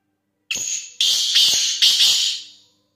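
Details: Black francolin, known locally as kala teetar, giving a loud, harsh, grating phrase of four rasping notes: a short opening note, then three longer buzzy notes that fade away at the end. Otherwise quiet background.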